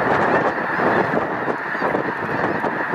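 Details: Brief burst of clamour from a flock of over a million Snow Geese at Loess Bluffs refuge on 21 February 2020: a dense mass of harsh honking with no break.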